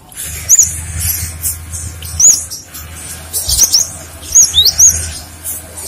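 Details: High, thin whistled notes from a cinereous tit (gelatik batu), played as a lure so other birds respond. Single bent notes are spaced out at first, then come in a quicker cluster near the end. A low rumbling hum sits beneath them.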